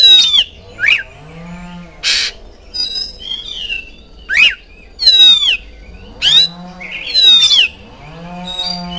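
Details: Oriental magpie-robin song played as a lure so kept birds answer and start singing: loud, clear whistled phrases in bursts about every second, with sweeping notes sliding down in pitch between short buzzy accents.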